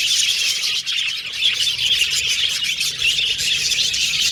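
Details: Colorful pet Australian budgies whistling and chattering as a flock, a steady overlapping high-pitched twitter throughout.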